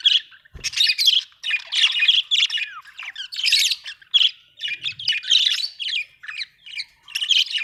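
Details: Happy budgerigar chirping: busy, chattering warble of short squeaks and grating notes in close sequence, with one gliding whistle-like note midway.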